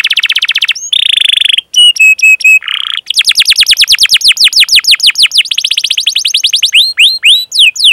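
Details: Canary chirping for training young birds: a quick trill, a buzzy phrase and several clear whistled notes, then a long run of repeated down-slurred chirps speeding up.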